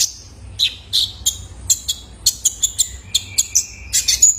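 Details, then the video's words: Caged young male ruby-cheeked sunbird calling to prompt other birds to sing: crisp, piercing chips repeated about every third of a second, ending in a thin, drawn-out whistle. "PANCINGAN KONIN BAHAN IKUT GACOR !! COCOK BUAT TERAPI KOLIBRI NINJA - SUARA ANAKAN JANTAN!!"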